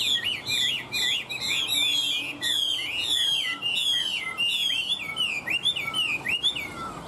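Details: Caged Chinese hwamei pouring out continuous song, with strong, clear whistled phrases in rolling, looping figures, each swoop repeated in quick succession for the whole stretch, almost without pause.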